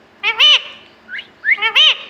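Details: Talking parrot calling out its own name: a nasal, harmonic two-syllable phrase spoken twice about one and a half seconds apart, with a short rising chirp between, in a quiet room.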